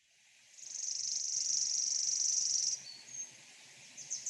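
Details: Chipping Sparrow spring song: a dry, high trill of repeated notes squeezed together with no gaps, so it sounds almost like a buzz. It is fast and mechanical, lacks a ringing quality, and holds steady for about two seconds.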